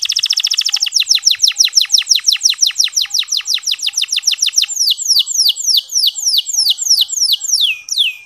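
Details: Local canary singing clearly, used to spur male canaries into song: a very fast rolling trill slows into evenly spaced, high, downward-swooping whistles, ending with quicker repeated sweeps.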